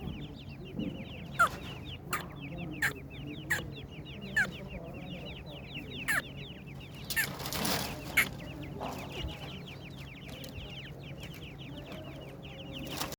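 Partridge chicks keep up a dense chorus of thin, high peeping chirps, several each second, over a low steady hum and occasional sharp knocks.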